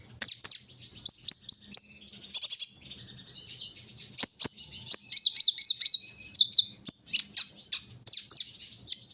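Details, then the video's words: High, continuous chatter from a kolibri ninja sunbird in the early morning dew, thin squeaky notes strung together with quick descending slurred whistles. "pengembunan di pagi hari burung Kolibri ninja"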